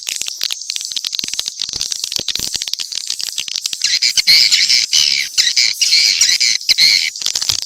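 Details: Crackling clicks give way midway to louder swiftlet chatter, harsh high twitters repeated in quick bursts, from a mixed set of swiftlet calls.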